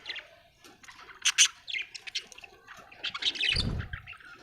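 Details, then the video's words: Australian budgerigar chirping: bursts of scratchy, buzzy chatter and short squeaks, loudest around the middle and end, with a dull low thump near the close. "Australian beautiful birds sound 😍 budgie chirping sound"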